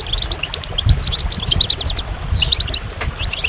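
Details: Rapid goldfinch song with tinkling chirps, a buzzy slurred note and short trills packed closely together, over a low background rumble.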